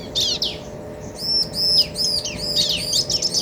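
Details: Male and female bar-winged prinias calling back and forth, meant to stir other birds: clear high arched notes in quick uneven bursts, with a faint steady hum in the background.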